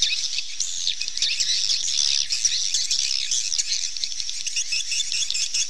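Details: A flock of swallows gives an unbroken wash of shrill, high-pitched twittering and squeaky chirps, many birds calling at once with little pause.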